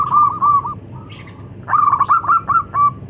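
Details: Local zebra doves calling and answering, male and female: two short bubbling coo phrases, a soft pause, then a longer rapid stuttering trill of repeated notes, with a faint high hiss behind.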